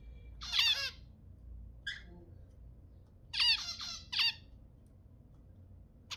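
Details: Zebra finch sounds played to stimulate mating: short nasal, harmonic-rich honking calls in small bursts, one near the start and a quick pair of clusters later, with a faint chirp between them over a quiet indoor background.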